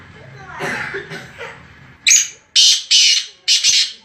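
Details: Black francolin of the taang strain from Khairpur Mirs, Sindh: after a man speaks, four loud, harsh, rasping bursts of roughly half a second each follow in quick succession.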